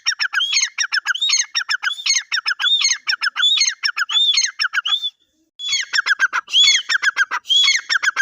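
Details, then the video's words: Teetar, a partridge, giving rhythmic phrases of shrill rising whistles and raspy clucking notes, about one phrase per second, with a short silent break near the fifth second before the calling resumes. "teetar voice | teetar ki awaz | teetar sound | dakniteetar ke awaz | teetar boli"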